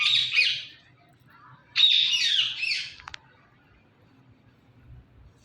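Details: Pet Indian ringneck parakeet making two long, loud, raspy squawks, the second broader and harsher, followed by a brief click and quiet room background.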